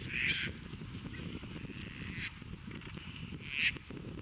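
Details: Caspian terns during courtship at Montrose Beach, Chicago, April 22, 2024, offering caught fish to potential mates; three grating, raspy calls, at the start, middle and near the end, over a low steady background rumble.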